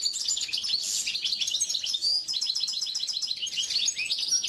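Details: Oriental white-eye training song: dense, high, rapid twittering with quick repeated chirps, an unbroken energetic chatter.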